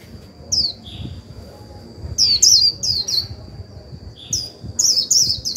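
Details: White-eye decoy singing líu to provoke a fresh-caught bird: a lone high chirp, then several quick bursts of bright descending twittering notes separated by short pauses, with a constant faint high whine behind.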